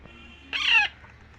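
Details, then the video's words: Baby Indian ringneck parakeet during feeding: a single harsh, rasping squawk of about a third of a second, rich and buzzy, standing out against quiet room background. "Raw parrot baby feeding parrot so happy"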